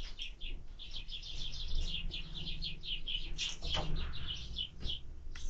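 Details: Sparrow feeding at a feeder on 20 February 2024, chirping almost nonstop: rapid, high, evenly spaced notes in a long chattering run, a couple of sharp taps, and a low background drone.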